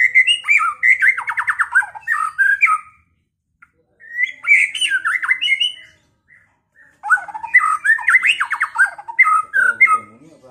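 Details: White-rumped shama (murai batu), a kept Pekalongan bird, giving song meant to provoke a rival to fight and sing. Three strong outpourings of rich whistles and rasping chatter, each lasting a few seconds, with short gaps between.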